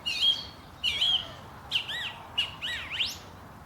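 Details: Morning birdsong at Langley Park, Durham: clear whistled phrases, some swooping up and down, others sharp and looping, given in five bursts with short gaps over steady low background hum.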